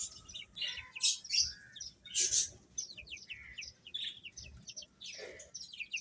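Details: Feeding chicks give sharp high peeps and short downward-slurred chirps, some louder bursts among quieter scattered notes, with a soft low rumble behind.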